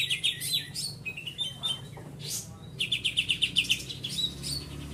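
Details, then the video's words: Greater green leafbird, kept as a songbird, giving a full-volume song: rapid bright chattering trills and whistled notes, including a fast run of clipped repeated notes near the middle, with faint low background hum. "CUCAK IJO FULL TEMBAKAN"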